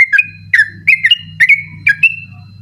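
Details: Sooty-headed bulbul giving ropel-style song at night, used to train other contest birds: short bright whistled phrases, each a quick downslur then a higher held note, about five phrases over a low background hum.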